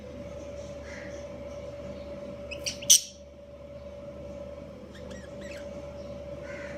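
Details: Breeding pair of budgerigars (Australian parakeets) giving a few sparse, high chirps, with one sharp bright chirp near the middle, over a steady low electrical hum.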